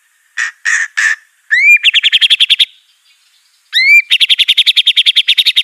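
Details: Aceh white-rumped shama master recording for bird training: three short, steady beeping notes, then a rising whistle leading into a quick even rattle. After a pause the whistle-and-rattle phrase comes again.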